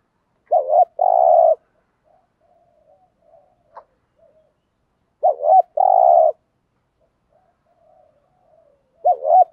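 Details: Spotted dove of the local field type giving its urgent cooing, used to provoke and agitate wild males: a low looping two-note coo, then a long rolling purr, repeated about every four and a half seconds, with faint murmurs between phrases.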